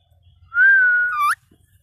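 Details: Young pet green ring-necked parrot, being coaxed to talk, gives a single steady whistled note that dips slightly and then ends with a quick upward inflection, in a quiet room.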